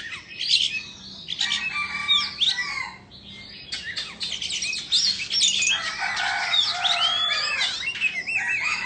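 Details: Indonesian Oriental magpie-robin performing a tail-fanning dance while singing, giving dense bursts of scratchy, buzzy phrases mixed with clear whistled slurs and a few lower steady tones.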